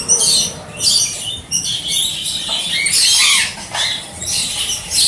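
A red factor canary sings in high, rapid, scratchy trills and chirping bursts, with short pauses between phrases.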